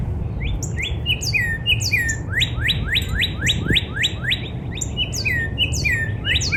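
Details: Spring backyard northern cardinal song opening with several downslurred whistles, then switching to a rapid train of rising upslurred notes, then back to falling whistles, with faint high chips and constant low ambient hum.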